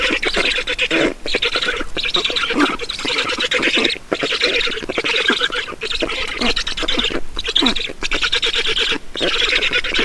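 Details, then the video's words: Black stork chicks at a nest in Estonia during a feeding on 5 June 2019 at 16:28, begging with loud, harsh, rasping calls repeated in a rapid, continuous chatter, broken by brief pauses. "Estonian Black Storks - Feeding"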